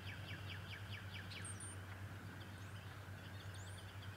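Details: Male bald eagle at the Decorah nest on a March 11, 2018 morning; a quick run of about seven high, descending chittering notes fills the first second and a half, then scattered thin whistles over a steady low hum.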